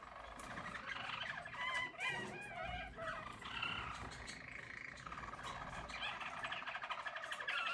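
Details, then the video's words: Yellow Harz German Roller canary in 2022 singing a rolling, warbling song with looping whistled phrases and brief trills. "Harz German Roller Canary singing"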